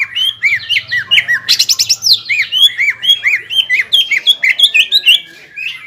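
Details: Greater green leafbird in full song, meant to stir a rival into aggression: fast chains of curved, slurred whistles with buzzy upper notes, delivered almost without pause, over a faint low hum.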